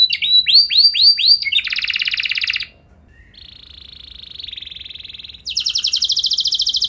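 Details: Canary lure song to set other canaries singing: looping bright notes, then a dense buzzy roll, a short pause, a softer rattling trill, and a loud, fast, harsh rolling tour at the end.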